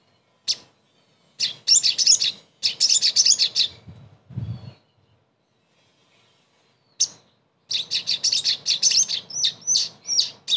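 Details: Crested jay (sogon) therapy song meant to restart a bird that has gone silent; loud bursts of rapid, scratchy, high chatter separated by long pauses, with one low thud in the middle.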